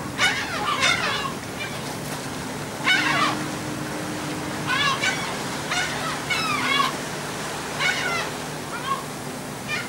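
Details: Seagulls being fed aboard a ferry from the Dutch island of Texel in late March 2014 utter repeated harsh, yelping squeals every second or two, some overlapping, against engine hum and sloshing water.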